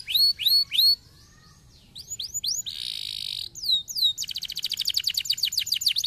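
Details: Singing canary, played to spur lazy canaries to sing: pairs of sharp falling whistles, a pause, more slurred notes, a harsh buzzy burst, then a fast rolling trill of rapid repeated notes.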